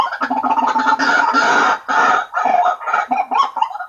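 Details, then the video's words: White-breasted waterhen lure call: long, rough, nasal croaking bursts that run together, then break into shorter, choppy notes toward the end. "Suara Pikat Ruak Ruak Paling Ampuh|auto ngumpul...."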